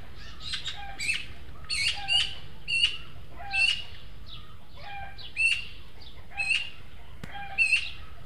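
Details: Three young Eurasian magpies visiting a webcam feeder in El Retiro's garden plot, Madrid, two pleading to be fed by the older-looking third; scratchy, noisy squawks in irregular clusters roughly every second, with quieter repeated bird notes and low rumble behind.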